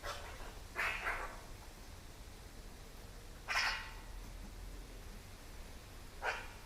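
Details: Eurasian magpie disturbed by a nearby camera at its food, uttering three widely spaced, husky dog-like barks over faint background noise.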